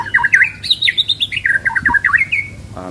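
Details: A caged White-rumped Shama in full song at a West Jakarta bird-shop kiosk, short-tailed and freshly moulted, pours out a fast, varied song of rich whistles and sharp chattering notes, rising and falling; room echo behind.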